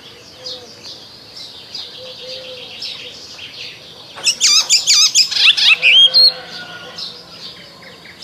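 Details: Icterine warbler singing in spring, recorded without background music: quiet twittering of other birds at first, then a loud two-second burst of rapid, varied, high chirps and slurred whistles, before fading back to soft distant chatter.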